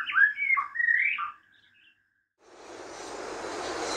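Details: Wild white-rumped shama delivering a quick run of loud, tumbling whistled notes, then silence followed by a rising hiss of broadband noise.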